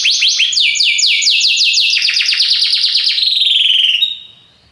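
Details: Loud Belgian canary song made of quick descending slurred notes, changing into a fast rolling trill that ends on a short clear whistle and fades.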